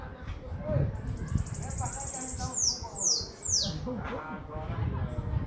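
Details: Several bananaquits singing; a run of high, thin, downward-sliding whistles about two seconds long, over low rumbling background noise and faint lower chirps.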